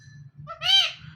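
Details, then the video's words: Hand-tame talking pet parrot speaks one short word indoors. Two harmonically rich, nasal syllables, the second louder and slightly rising, come over a faint low hum. "My So Sweet Parrot Speaking and Dancing Joyfully"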